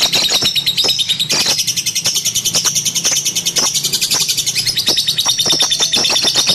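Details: Lovebird kept as a pet, producing an unbroken stream of rapid high twitters and squeaks mixed with sharp clicking calls, steady and loud throughout.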